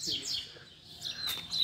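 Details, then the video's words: Coleiro (double-collared seedeater) teaching song for young birds: short high descending notes, a pause, then thin sharp whistled notes at the end, with faint background murmur. "PUXADA TOP PARA FOGUEAR E ESQUENTAR A FIBRA - COLEIRO PROFESSOR APRENDIZADO"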